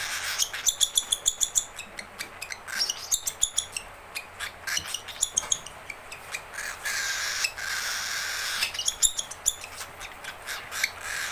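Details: Hungry, angry baby cockatiel begging for its keeper with rapid bursts of sharp high chirps alternating with drawn-out hoarse, hissing rasps, repeated throughout.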